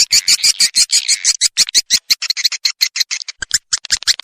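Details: Calls of the edible-nest swiftlet played to lure the birds: a rapid series of short, high, clipped chirps, roughly three per second, gradually spacing out.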